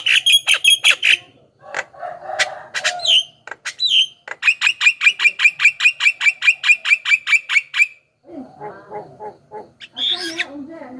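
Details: Javan myna song for luring wild birds: quick harsh notes, slurred falling whistles, then a long fast run of about twenty repeated ringing chirps, ending in softer rasping chatter and a squeal.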